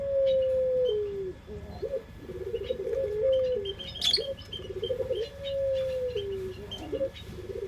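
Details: Barbary dove (puter pelung) used as a lure, singing a sequence of long low coos, each sliding down at the end and followed by short wavering notes, amid faint high twitters of small birds.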